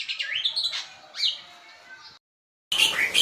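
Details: Javan white starling, a varied song from a bird that keeps singing even while held in the hand: loud whistled phrases that swoop up and level off high, a brief gap, then a bright burst of rich chattering notes.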